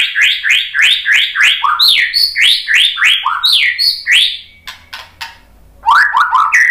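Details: White-rumped shama song meant to provoke other birds into singing: a fast run of bright, downslurred whistles, about three per second, then a brief pause with sharp clicks before rising whistled phrases resume.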